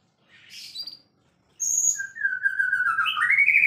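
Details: White-rumped shama, described as a champion bird in full song: a high thin note and a short squeaky burst, then a loud sustained whistled phrase that wavers and rises at its end, over faint low hum.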